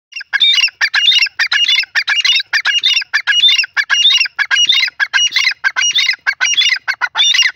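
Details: Grey francolin, locally called teetar, calling loudly: harsh, squawking multi-note phrases repeated in quick succession, with short gaps between bursts and a steady rhythm throughout. There is no background noise.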